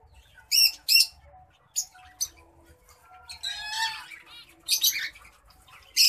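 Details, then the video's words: White-headed munia in courtship, giving scattered sharp high chips and squeaky notes with a short burst of warbled, rising-and-falling whistles in the middle. "white headed munia courtship and song"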